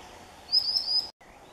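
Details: A single sharp, high whistled cry from a common sandpiper protecting newly hatched chicks on the Neman River shore in June 2015, set against faint steady background noise.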